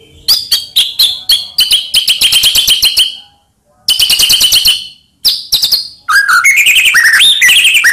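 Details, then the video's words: Lure song of a white-rumped shama meant to rouse quiet shamas: fast pulsed chattering trills, repeated in bursts separated by brief silences, then a flowing sequence of rich slurred whistles. "Murai Diam Langsung PANAS Dengar Pancingan Ini"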